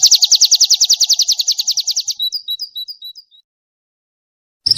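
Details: White-eye (pleci) training song for caged birds, 'nembak' style: a rapid train of bright high chirps for about two seconds, then softer, thinner separate chips that fade into silence, with a brief loud note at the very end.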